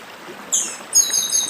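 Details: Chestnut-capped blackbird (papa-arroz) from Brazil's Northeast singing its 'dedim' song: a high descending whistle, then a buzzy high trill with a steady thin tone, over soft stream-like hiss.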